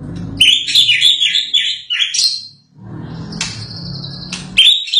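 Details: White-rumped shama after moulting, singing busy chattering phrases around high pitch, then a long steady whistled note ended by a sharp upward flick, over a low background hum.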